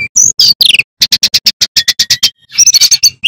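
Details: Male sikatan bambu flycatcher sings loudly as a master song for magpie robin chicks: high slurred whistles, a steady series of about a dozen sharp clipped notes, then a quick twittering flourish over a low hum.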